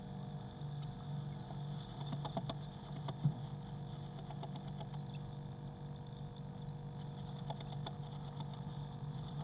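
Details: Eurasian blue tit chicks, six of them, in a crowded nest box on 22 May 2019. Faint, thin, high chips come in irregular runs with scattered soft rustles under a constant low hum.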